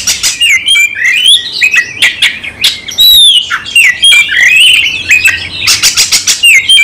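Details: Oriental magpie-robin singing aggressively in fighting mode, full repertoire: long wavering whistled runs, sharp clicks and raspy squawks packed tightly together, ending in a burst of scratchy notes.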